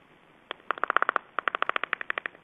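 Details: Black storks in Estonia being fed at the nest, with a rapid series of harsh, clattering notes, about twenty evenly spaced pulses in two bursts over two seconds.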